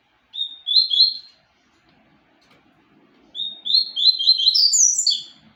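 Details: Papa-capim seedeater singing two bursts of high, slurred chirping notes that rise and fall quickly, the second phrase longer and climbing higher, with silence between them.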